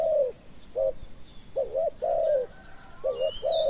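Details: Spotted doves during decoy luring of a wild bird with a small voice; broken cooing: a long croon, a short coo, then two double-note coos each followed by a longer crooning note, faint chirps behind.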